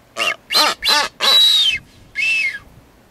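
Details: Blue-footed booby (Sula nebouxii excisa) on San Cristóbal, Galápagos, Ecuador, in May 2012, giving five harsh, reedy calls in quick succession, some with a thin downward-sliding whistled overtone; the longest notes drawn out.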